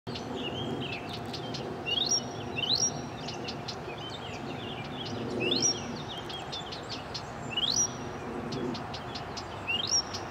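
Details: Blyth's reed warbler at Oberndorf am Neckar, Rottweil district, Baden-Württemberg, 1 June 2024 (found 27 May): a leisurely, varied song of high chattering notes and sharp rising whistles every two to three seconds, over a low background rumble.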